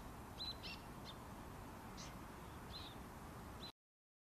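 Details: Little tern parent and juvenile at Senju Sakuragi nature area by the Arakawa, Adachi, Tokyo, the young waiting for small fish: short, high, thin chirps, about six scattered notes over a few seconds, above steady wind or surf noise.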